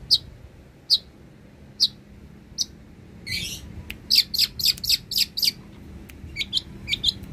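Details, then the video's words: Long-tailed shrike song for training other songbirds: sparse high chirps at first, then a burst of rapid sharp notes, a buzzy note and a few rising slurred whistles near the end. "Pancingan suara burung cendet gacor, BURUNG CENDET isian mewah cocok untuk masteran burung"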